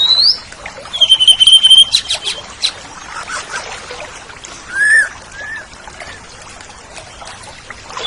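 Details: Oriental magpie-robin (kacer) song on a tutoring recording for caged songbirds: a few high pure whistles, a long steady whistled note, then sparse sliding notes among faint trickling, watery background noise.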